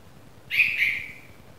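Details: A newly fledged Red-vented Bulbul chick gives a single high, thin, slightly buzzy squeal of about half a second, sliding gently down in pitch, against a quiet background.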